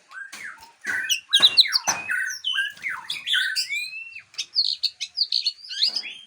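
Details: White-rumped shama, known locally as murai Aceh, from a breeding facility, singing a varied run of clear whistles, sharp upslurred and downslurred notes and short rattling bursts, with brief pauses between phrases.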